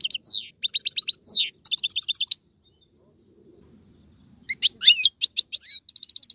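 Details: European goldfinch, Algerian, caged, delivering tiouatie, galoubi and serfati song styles: quick twittering phrases and downward slurs, a quiet gap of about two seconds, then dense chattering notes ending in a steady buzzy trill.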